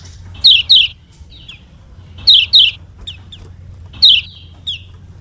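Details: Short shrill double chirps from a Lombok yellow kecial, or lemon-bellied white-eye, used as a model song for other birds, repeat roughly every two seconds with fainter thin notes between them and a low hum beneath.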